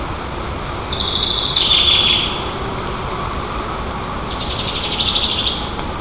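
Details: White-tailed eagle chicks at their nest in Nizhnyaya Kama National Park, Tatarstan, Russia, on 18 June 2024, filmed by nest camera while teasing a sibling and flapping wings. A thin, high squealing series lasting about a second, then another rapid chittering run.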